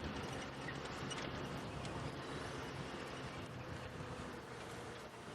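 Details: A steady vehicle engine drones with wind rushing across the microphone during a sunset safari drive, and no animal calls.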